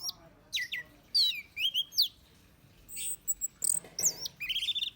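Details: Orange-headed thrush song for luring birds: sweeping high whistles that slide down, quick chips, and a rising buzzy phrase at the close.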